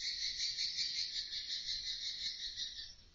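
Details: Swiftlets chatter inside a two-storey swiftlet house, 4 by 12 in size, heard through an indoor CCTV camera: a constant, thin, high trilling band that pulses quickly and fades slightly at the end.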